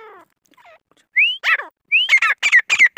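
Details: Grey francolin, known locally as desi gora kohati teetar. Thin rising whistled notes, then loud harsh grating notes in quick pairs that build into a repeated phrase. A faint, lower, descending note comes just before.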